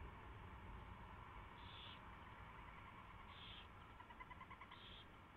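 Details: Owl at the nest during a mouse delivery and feeding, 24 February 2016 at 4:21 AM: three short, harsh, hissing bursts spaced over a few seconds above a steady low rumble of background noise.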